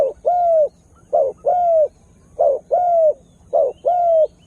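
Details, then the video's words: Spotted dove calling as a lure to attract wild birds: three clean pairs of coos, each a quick short note and a longer mellow downslurred note, separated by brief silences. "Tekukur Dengan Daya Panggil Yg Unik Bikin Burung Liar jadi Emosi"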